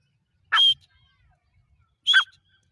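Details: Grey francolin calling, two separate bursts about a second and a half apart, each a clear whistled note followed by a harsher lower note, with silence between.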